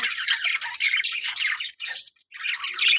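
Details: Budgerigar breeding colony: a short spell of loud, scratchy warbled chatter, cut by a clear silence of about half a second before the squawking picks up again.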